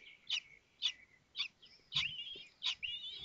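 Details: Kestrel nestlings at Théding on 19 May 2024, calling as the fifth chick cracks its shell and the others are fed: bright, high chirps spaced about half a second apart, trailing into thin wavering whistles.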